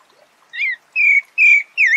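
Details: Pale-breasted Thrush (Sabiá-barranco) in Brazil, recorded in nature: four clear whistled notes, each slurring slightly down near the middle pitch range, spaced about every half second after a quiet start, with faint higher overtones and no other clear sounds.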